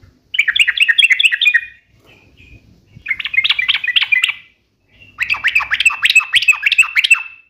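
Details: Sooty-headed bulbul delivering three long sequences of fast, rolling, repeated bubbly notes, each lasting one to two seconds with short gaps between them, against a quiet background.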